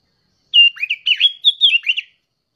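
A young sooty-headed bulbul gives one quick phrase of about seven bubbly, liquid whistled notes, rising and falling over a second and a half, against a quiet background.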